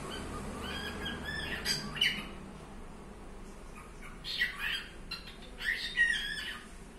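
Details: Pet cockatiel giving clustered scratchy chirps with short whistled tones in three bursts a few seconds apart, with quiet low rumble in between.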